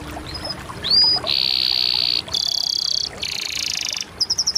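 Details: Canary song built from a rising whistle followed by several long, rich buzzy rolls, each about a second, ending in a quick run of pulsed notes.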